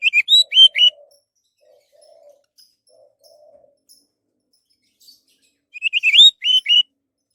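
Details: Orange-headed thrush song used to coax other birds into singing: an opening run of slurred whistled notes, soft low murmuring sounds in the long pause, then a closing burst of rapid whistles.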